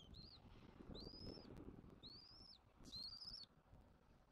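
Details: Bald eagles at a Southwest Florida nest, an adult pair feeding their chick on 1 June 2024: thin high whistled calls, each arched and slightly rising, given about once a second, over low rumbling wind and wing flaps.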